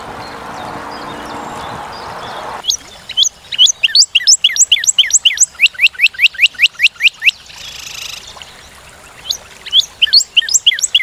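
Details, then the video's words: Northern cardinal with a long, fast series of steep down-sweeping whistles, around twenty in steady succession, a brief pause with a soft hiss, then the series resumes. "Découvrir le chant et la beauté du Cardinal du Nord"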